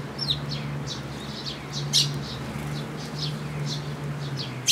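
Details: Flock of sparrows at a shrine feeding post (Tenmangu, 8 June 2022) chirping in brief high notes, some slurred downward, spaced irregularly over a constant low droning hum.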